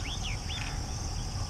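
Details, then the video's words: Yellow-eyed babbler calling at T K Falls (dated 030720), giving three quick, clear whistled notes that arch up and slide down within about half a second, over a steady low rumble of wind. "Yellow-eyed Babbler calling"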